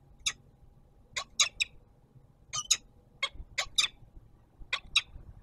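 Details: Peregrine falcon at the Palace of Culture and Science, Warsaw, Poland, during an adult's evening food delivery to its young: about a dozen brief grating squawks in pairs and triplets, irregularly spaced, with faint low city noise behind.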